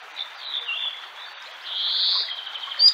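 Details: Common sandpiper from Central Russia gives a thin, high, run-on trilling whistle that swells louder midway, over a faint background hiss.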